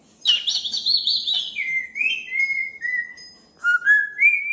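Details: Pet cockatoo indoors, greeted by its owner while a TV shows puppies: a loud wavering whistled phrase, then a run of clear descending and rising whistled notes, with a faint murmur of voices beneath.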